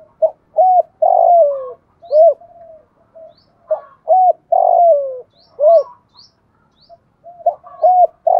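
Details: Spotted dove with a thổ pha voice giving urging and calling coos. Repeated phrases, each with clipped arched notes around one long, loud coo that falls in pitch, recurring every three to four seconds. Faint high ticks can be heard.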